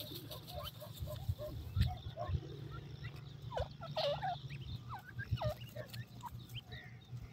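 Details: Grey francolin (dakhni teetar) chicks feeding in a forest: several short, thin peeping notes that slide downward, scattered irregularly and sometimes overlapping, over a low steady hum.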